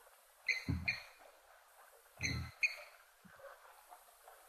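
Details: At an African waterhole on 19 August 2025, a lapwing, likely a blacksmith lapwing, gives sharp metallic "tink" notes in two pairs like a hammer on an anvil, with low thumps and a faint background murmur.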